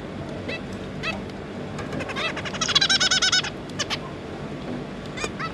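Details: Zebra finch parents with their three juveniles, 5 August 2022. Scattered single nasal call notes build into a fast, stuttering series of bright, buzzy calls, then thin out again over a low background hum.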